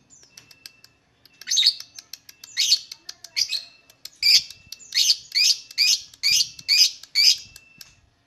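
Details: Lovebird sound used to provoke singing in lovebirds: faint ticks, then scattered harsh chirps building into a steady series of loud, shrill, scratchy notes about two per second.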